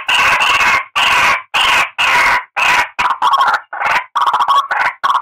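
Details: White-breasted waterhen calls used as a lure: loud, harsh, drawn-out croaking notes repeated roughly every half second, then shorter, quicker, more broken notes in the second half.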